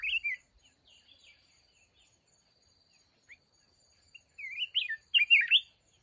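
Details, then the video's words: Red-whiskered bulbul at a decoy trap set for mountain birds: one quick warbled note at the start, then after a pause a lively run of slurred whistled phrases near the end, over a faint high steady hum. "Chào mào núi bẫy đấu"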